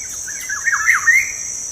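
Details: Black-naped oriole lure song, meant to make a lazy caged bird sing again. A rolling series of mellow whistled notes rises into a clear upslurred ending, with a constant shrill cricket-like hum behind.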